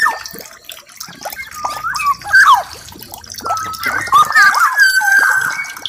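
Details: Black-naped oriole (Oriolus chinensis) singing liquid, fluty whistles that slide and bend in mid pitch, with a busy run of notes near the end over splashing, water-like background noise.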